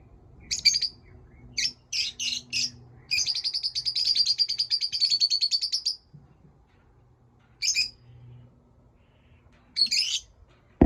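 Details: Pet lovebirds chirping in a quick burst of separate high chirps, then a continuous buzzy trill lasting about three seconds, followed by scattered single chirps after a pause; faint low hum underneath.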